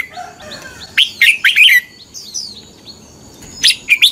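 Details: Red-whiskered bulbul in morning fighting-song training: a faint low warble, then a loud quick phrase of bright whistled notes, soft thin gliding whistles, and a final brief pair of loud notes.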